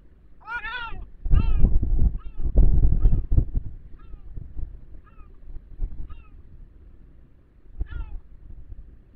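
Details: Gulls near an osprey nest on a cliff about 50 m above the sea in Cabrera Archipelago National Park give a few harsh, nasal, down-slurred calls, two longer wailing notes first, then shorter scattered ones, over heavy rumbling wind.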